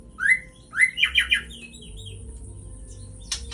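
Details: White-rumped shama song used to provoke and excite another shama: two rising whistled notes, then a quick burst of buzzy descending strokes, soft twittering fragments and a sharp click near the end over low background hum.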